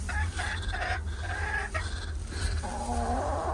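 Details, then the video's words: A hen, Astrid, clucks vocally in short, throaty bursts, a few each second, over a low steady rumble, while laying her egg in the morning in the coop. "Cluck cluck! Good morning chickens!"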